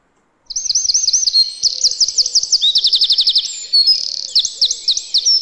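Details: Eurasian wren that winters in a yard gives a vigorous high song after brief silence: fast curling notes, a machine-gun trill, then a burst of rolling phrases, with a soft lower call in the background.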